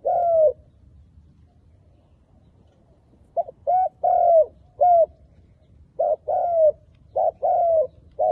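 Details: Lure spotted dove calling to draw in wild doves for trapping: a long opening coo, then after a pause rapid groups of short and drawn-out hollow coos, some gently falling in pitch, repeated in two similar phrases; little other sound.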